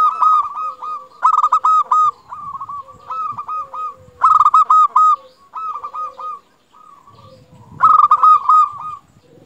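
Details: Zebra dove of a local strain singing strongly, meant to coax quiet zebra doves into song; repeated rapid staccato coos in loud clusters, about four phrases, linked by softer sustained low notes, faint rustling underneath.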